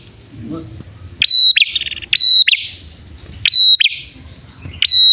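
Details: Bar-winged prinia pair, male and female, in a lure recording: a few shrill whistled notes with buzzy trailing trills, plus some higher thin tones, in irregular bursts after a quiet start with faint low murmur.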